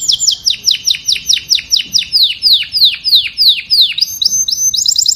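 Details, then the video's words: Canary singing to call the flock: a loud series of bright, high notes, each sweeping sharply downward, repeated about three times a second, then a switch to rapid, thin trills at the end. "Tiếng chim Hoàng Yến hót gọi đàn"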